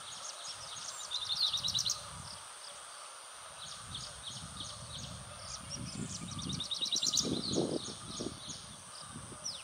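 A grey-breasted prinia gives two bursts of rapid, high, thin chipping notes, each lasting about a second, over steady background hiss and low rumbling noise.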